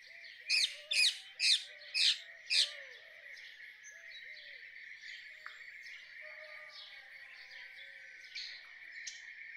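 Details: A run of five loud, raspy screeches from a rose-ringed parakeet, evenly spaced about half a second apart, then quieter background birdsong and a few far-off calls.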